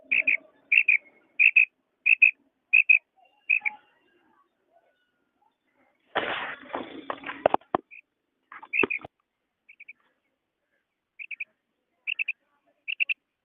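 A quail repeats short, bright, clipped chirps in a steady series, with a brief rustling burst midway.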